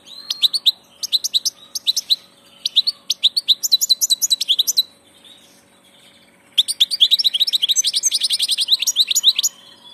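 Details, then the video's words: Passage ('del paso') European goldfinch in sustained song: three bouts of bright, rapid, tinkling twittering notes, then a pause, then a long dense, buzzy, liquid phrase. "Jilguero del paso"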